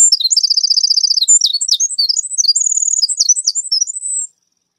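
A Winter Wren pours out a long, rapid, high-pitched song of tinkling notes and fast trills, running without pause for over four seconds.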